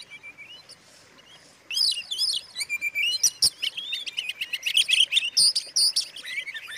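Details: Oriental magpie-robin song used to provoke other magpie-robins into agitation: faint thin notes, then from under two seconds a loud, rapid, varied stream of high whistles, slurred rising notes, sharp chirps and short trills.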